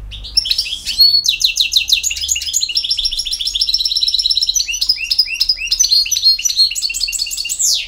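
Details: Campero-style song of a European goldfinch (jilguero): an unbroken stream of rapid, high, liquid twittering notes and short trills, with bright chirps and occasional buzzy accents, steady and lively throughout.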